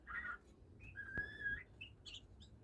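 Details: Oriental magpie-robin (kacer) beginning to sing: a short burst of warbled notes, then a long clear whistle held steady for about half a second, followed by brief higher chirps, over a low steady background hum.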